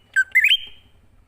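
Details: Greater green leafbird, forest-style song used as a lure. A quick low note is followed by a stepped whistle that climbs and trails off, with a faint low rumble beneath.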